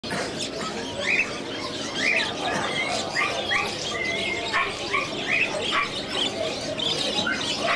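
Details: Caged scaly-breasted munias for sale at the Sonepur Cattle Fair, Bihar, India, held in November, give a busy stream of short, high, slightly nasal chirps, several birds overlapping, over a constant hiss of background noise.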